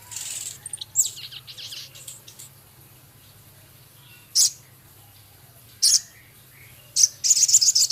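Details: Male Javan cochoa in full song with scarlet minivet imitations and rough chatter: scratchy high twittering at first, then isolated sharp piercing chips at intervals, ending in a fast high rattle, steady low hum beneath.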